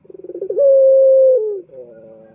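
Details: Calling male turtle dove, used as a lure to draw males: rapid low throbbing pulses lead into a sustained even coo that slides downward, then a soft trailing murmur.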